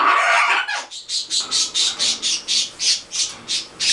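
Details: Green-winged macaws, a pair with a baby, kept as pets: a harsh broad squawk followed by a steady run of short raspy calls, about four per second.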